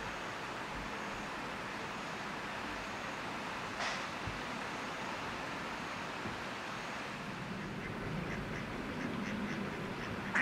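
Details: Mallards violently mating on the Naka River, Japan, in June 2016: a few short, hoarse quacks near the end, a splash midway, over a steady rush of water or wind noise.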